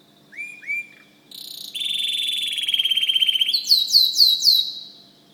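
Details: White canary singing indoors. Two short upward chirps lead into a long, fast buzzy trill that drops to a lower rolling tour, then ends in a series of bright, quick, rising-falling notes. A faint low hum runs under the song.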